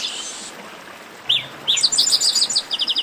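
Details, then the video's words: Chestnut-capped blackbird song: a brief buzzy hiss, then two falling whistled slurs and a quick, even series of high chirped notes repeated several times per second. "Baderna de Garibaldi"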